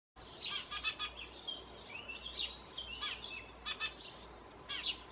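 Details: Eurasian tree sparrow chick at a nest box on a terrace, begging while being fed, giving bursts of high, rapid chirps and buzzy squeaks in quick succession over a soft background hiss.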